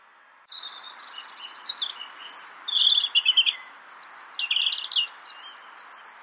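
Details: A European robin in Brussels, Belgium, in March 2014 sings a varied, tumbling phrase of thin high whistles, trills and rapid twittering notes that jump abruptly between pitches, over a soft background hiss.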